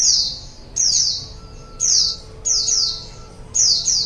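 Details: White-eye (pleci) calls used to lure wild birds: bright, high notes sliding downward, single or doubled, repeated at uneven intervals, with a low background hum.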